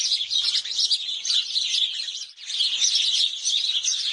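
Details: House sparrows bathing at Mettur Dam keep up a dense, unbroken chatter of bright, high chirps from many birds at once, with a brief lull partway through.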